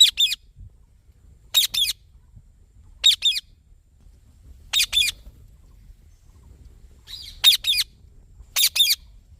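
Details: A green ringneck parrot repeats harsh, high double squawks roughly every one and a half seconds against a quiet background.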